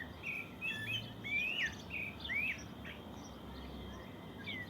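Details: Morning birdsong in the countryside: quick whistled upslurs and twisting phrases crowd the first few seconds, then thin out to a few softer, scattered notes over a faint low background rumble.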